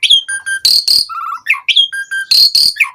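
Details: Singing Asian pied starling, meant as a lure to get other starlings singing; harsh rasping bursts alternate with clear whistled notes and short fluttering trills, repeated in an irregular mixed pattern.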